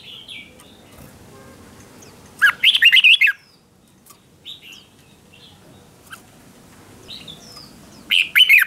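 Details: Red-whiskered bulbul decoy song used to lure other bulbuls, sung competition style. A short burst of rich, fast warbled whistles comes after two seconds, then quiet single notes, then a further loud phrase at the close.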